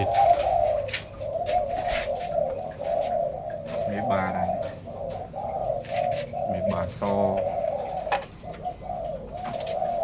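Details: Indoor flock of zebra doves kept as breeding pairs, coos running unbroken in bubbling, pulsed phrases for ten seconds. A man speaks briefly around the fourth and seventh seconds, with scattered clicks.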